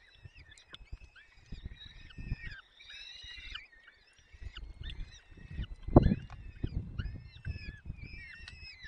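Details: Male peregrine falcon feeding chicks at the nest in Poland's Barycz Valley, 30 April 2020, afternoon: overlapping high, strained squeals that bend down at the ends, over bursts of low knocking and scraping.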